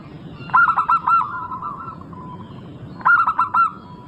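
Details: Local zebra dove song meant to lure other zebra doves into singing: two bursts of quick, rolling, slightly hoarse coos about two and a half seconds apart, each trailing into a soft sustained tone.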